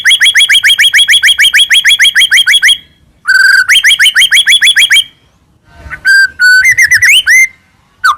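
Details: Captive Medan white-rumped shama singing as a lure to make other shamas sing: rapid rattling series of identical sharp notes, over three per second, broken by pauses, then a few varied whistles and slurs.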